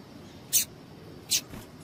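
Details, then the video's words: Two crisp, very high chip notes about three quarters of a second apart from a female double-collared seedeater, called to excite males, with a soft low hum beneath. "PIADO DE FÊMEA DE PAPA CAPIM PARA DEIXAR SEU PAPA-CAPIM DOIDO"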